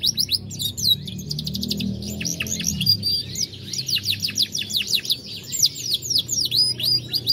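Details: Loud song of a gold Lizard canary from a Dutch bloodline, 2020: fast rattling trills of repeated clipped notes, then quick downward-slurred whistles in rhythmic bursts, with a faint low rumble in the background.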